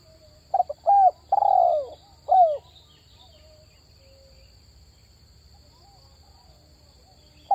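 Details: Spotted dove luring call: one full phrase of short stuttered notes, a clear coo, a long harsh descending coo and a crisp final downslurred note, then near silence and a brief clipped note at the end.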